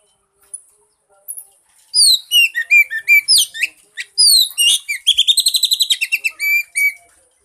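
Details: Long Oriental magpie-robin song used as a lure to start a silent bird singing. Varied whistles, squeaks and slurs build into a fast, rhythmic trill of repeated notes, then end with clear single whistles.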